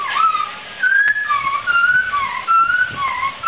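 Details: Poksai laughingthrush in lively song for tutoring: a loose string of mellow whistled notes, some rising and some falling, with brief pauses between them.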